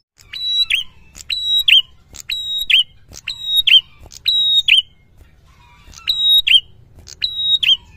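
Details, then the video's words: A prinia in full song sings high, ringing phrases, each a sharp tick, a steady whistle and a quick twisting flourish, about nine in eight seconds over faint low noise. The recording is meant to stimulate quiet prinias. "Suara prenjak gacor ngalun"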